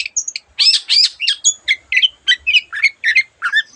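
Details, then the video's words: Long-tailed shrike delivering a varied song with borrowed phrases of other birds: raspy squawks first, then a rhythmic string of short slurred whistles, about four each second. "cendet gacor masteran untuk burung yang susah bunyi banyak varian suara burung lainya"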